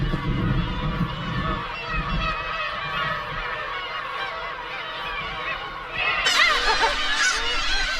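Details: A dense flock of Black-tailed Gulls at the Hongdo breeding colony off Tongyeong, Korea, in the May–June breeding season gives harsh, mewing, overlapping cries. The cries swell as hundreds take off together in mass defence against an attacking falcon.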